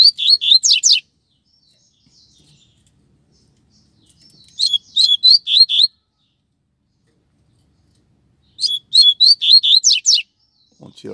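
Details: A Double-collared seedeater from a pair sings three separate bursts of bright, rapid whistled notes, each phrase ending in steep downward slurs, spaced by several seconds of near silence on the street.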